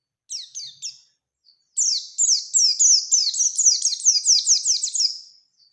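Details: Oriental white-eye in full song in the 'ngalas ngerol nembak' style, seeking a rival, used as a lure for other white-eyes: a few short high chirps, a pause, then a rapid run of sharp descending whistled notes, about three a second.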